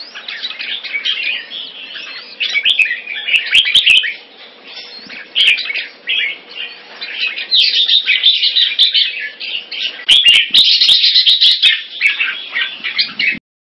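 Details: Singapore-kept red-whiskered bulbul in a cage, a big-wing open-tail champion-bloodline crossbreed, delivering a long, crowded stream of quick twittering and whistled warbling phrases that swell louder near the end, with scattered sharp clicking knocks.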